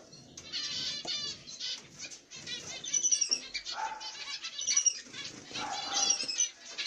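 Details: Nest of masked black-cheeked mutation zebra finches, an adult pair and their chicks; continuous rapid buzzy, scratchy high calls in pulsing waves over about seven seconds, with a few thin whistled notes mixed in.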